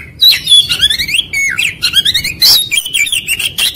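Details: White-rumped shama song used as a lure to trigger quick singing: fluttering trills and rising-falling whistled phrases packed tightly together, high-pitched throughout, with low hum in the background.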